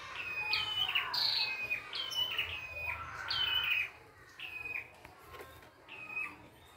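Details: A red-headed prinia sings in the wild, rapid overlapping whistled notes stepping downward, busy at first, then sparser and quieter toward the end.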